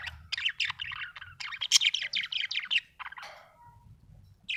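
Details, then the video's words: A happy budgerigar chirps in a steady stream of short, buzzy warbled notes, then trails off into softer scratchy sounds before one last chirp. "happy budgie chirping sound"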